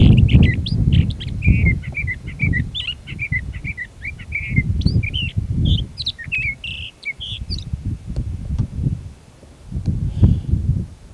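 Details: Sage thrasher in Malheur County, Oregon, June 18, 2004, singing a long, rapid, warbled song for about eight seconds without a pause, perhaps being answered; steady low wind rumble underneath.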